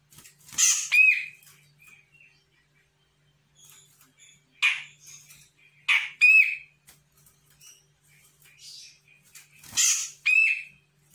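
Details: Young Sumatran grey-cheeked bulbul responding to a lure: three loud bursts, each a harsh rasping note followed by a nasal, ringing, slightly bent tone, separated by quieter chatter and pauses of several seconds.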